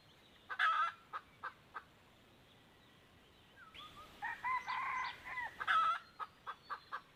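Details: Wild junglefowl called in by a decoy hen, two birds, 1 April 2024: a loud clucking burst and spaced clicks, a quiet pause, then a full wavering crow followed by a run of sharp clucks.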